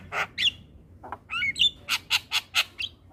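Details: Harsh chattering and brief whistled slurs from a Javan pied starling singing in the morning, closing with a quick series of loud rasping notes at steady intervals.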